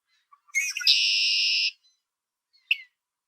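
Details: Red-winged blackbird in Ontario, Canada: a few soft introductory notes, then a loud, harsh, buzzy sustained note lasting about a second, followed by a single sharp chip.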